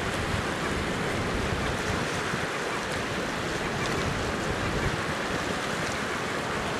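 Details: Steady roaring surf and wind noise fill the recording from Middleton Island, with no animal calls heard.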